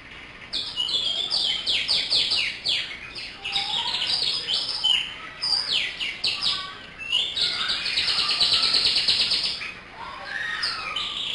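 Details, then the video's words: Local canary singing nonstop: quick downward-sweeping chirps, then a long bright rattling trill around eight to ten seconds, and further whistled slurs, with steady background hiss. "Kicau Kenari Master Super, [Gacor]"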